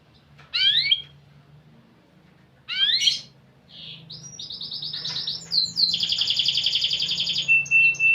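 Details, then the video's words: Canary singing in a unique cengkok style. Two sharp, descending chirp bursts are followed by a swelling, rolling high trill and a steady pure whistle near the end. A faint low hum sits underneath. "Burung Kenari Gacor Cengkok Unik"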